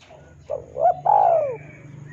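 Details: Spotted dove singing vigorously, used to tutor and prompt captive birds: one cooing phrase of two short rising notes then a long, loud, falling coo, with faint chirps from other birds behind.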